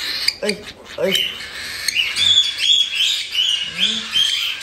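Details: One-month-old cockatiel chicks in Tokachi, Hokkaido, make their chick-only 'jaa jaa' begging cries. A person talks briefly at the start, then come rapid, scratchy high squawks, several each second, rising and falling slightly.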